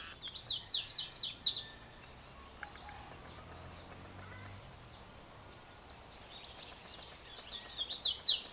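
Slate-colored Seedeater giving a burst of thin, high, quickly repeated down-slurred notes at the start and again at the end, over a steady high insect whine.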